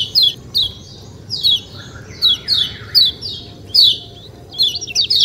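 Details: White-eye (kecial kuning) giving its 'ciak ciak' style calls outdoors: short, high, downslurred chirps at uneven intervals, roughly seventy per minute, with a fainter lower warble in the middle and a steady low background hum.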